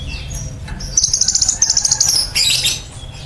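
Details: Kept Van Hasselt's sunbird performing a 'nembak cililin' style song for training other birds: a fast, even, high trill of about a dozen notes, then a sharp buzzy burst, with low background hum.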